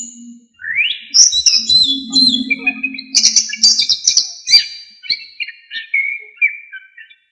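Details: Anis kembang, the orange-headed thrush, singing a varied song meant to tutor other songbirds: a rising whistle, high trills and chattering bursts, then a falling run of whistled notes, with faint low hum underneath.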